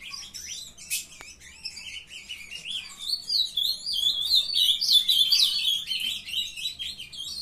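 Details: Young captive ultramarine grosbeaks from a breeder in Paraná, Brazil, delivering a long rambling warble of quick high twittering and slurred whistles, growing louder and denser midway, with a sharp click early on.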